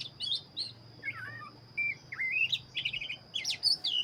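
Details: Black-breasted Oriental magpie-robin in full, energetic song: a rapid varied run of sweet whistled slurs, rising sweeps and a short trilled burst of chattering notes, over a steady high whine and a low hum.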